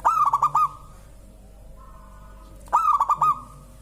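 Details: Local zebra dove sings and prompts other birds to sing: two rolling phrases of five quick coos about two seconds apart, with a faint steady tone in the gap.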